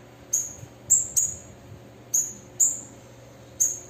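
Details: Six high, sharp, thin chips from a calling female bananaquit, separated by short pauses, over a low background hum.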